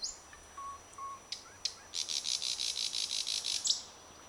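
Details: Thrush nightingale singing in a blooming bird cherry, 21 May 2009: a few soft thin notes, then a loud, fast, high, buzzy rattling series lasting almost two seconds and ending in a sharp note.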